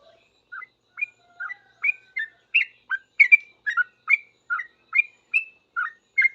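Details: Sooty-headed bulbul answering other bulbuls with a steady series of brief chirpy whistled notes, roughly two per second, bouncing up and down in pitch against silence.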